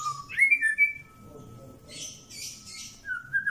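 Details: White-rumped shama of the pastol type, kept for mental-toughness training, gives clear whistled notes that rise then hold steady, followed by harsh, buzzy, scratchy bursts and a final short whistle.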